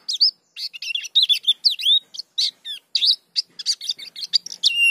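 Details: A dakun white-eye in full song pours out a fast, unbroken stream of high, thin twitters, slurred whistles and chips, with many varied phrases packed closely together.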